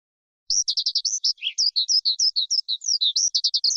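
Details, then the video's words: Forest skylark singing a fast, unbroken string of high, sweet chirps and short rising and falling whistled notes, with one lower buzzy note mid-phrase; nothing else is heard. "Tiếng Chim Sơn Ca Rừng Hót Hay Nhất"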